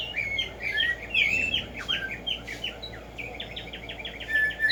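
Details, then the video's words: Black-striped sparrow, locally Tumba Yegua, in nature: a busy, dense jumble of chirps and slurred whistles, easing off midway, then resuming as a fast, regular series of repeated downslurred notes. "HACER TRINAR a Tumba Yegua"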